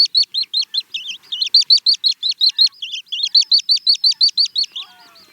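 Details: Little stint pouring out a fast train of high, squeaky chirps, some wavering and trilled, about three per second, ending in softer fading notes with faint background whistles.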